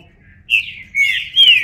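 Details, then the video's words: Green-winged saltator, called trinca-ferro in Portuguese, singing three loud whistled phrases, slurred and falling, in a short clear burst with a quiet background. "Trinca Ferro (cantando)"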